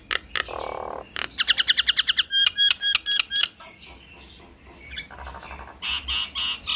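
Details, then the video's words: Nias hill mynas in duet give a rasping burst, then a rapid train of clipped metallic notes, a series of ringing doubled whistles, and a mix of buzzy and bright chattering calls. "Duet Maut Jalak Nias Bikin Ribut Semua Burung Jalak"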